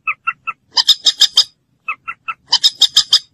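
Common moorhen: three short, clipped notes followed by a quick run of four or five harsh, rasping calls, the whole phrase given twice.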